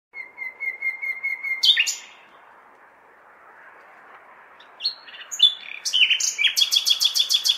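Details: Common nightingale singing on a May night in a large city, as if calling out for females: a long series of pure, level whistles, then sharp descending notes and a fast, even, rattling run of repeated notes over a low urban hum.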